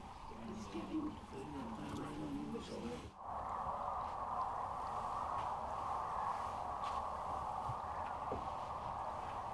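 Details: Sandhill cranes gathered at Rowe Sanctuary in Gibbon, Nebraska, near Kearney, on March 13, 2014: a dense, unbroken rolling chorus of many cranes, with people talking over it during the first three seconds.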